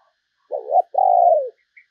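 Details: Spotted dove serving as a lure for other doves utters one deep, mellow phrase: a short warbling note, then a long, even croon that tails off downward. The background is clean and silent.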